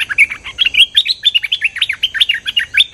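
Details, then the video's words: Cream-vented bulbul in full, lively song for luring: a steady, fast stream of bright chirps and short warbled slurs, loud and continuous throughout. "Suara pikat merbah lekir gacor"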